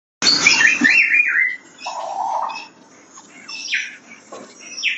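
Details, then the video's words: Baby white-bellied caique in captivity in Kuwait giving harsh, squealing calls: a loud broadband screech, then downward-sliding chirps and a lower nasal squawk, followed by scattered short rasping notes with quiet gaps. "white belly caique baby"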